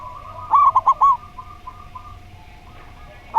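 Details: Zebra dove, slow voice style, gives a single burst of four quick, clipped cooing notes, followed by quiet with a faint steady hum.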